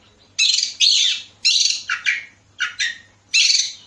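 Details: Oriental magpie-robin lure recording from Bekasi meant to prompt other birds to sing: short, harsh, buzzy bursts in pairs, each rasping and slightly falling, separated by brief silences, with a faint low hum behind.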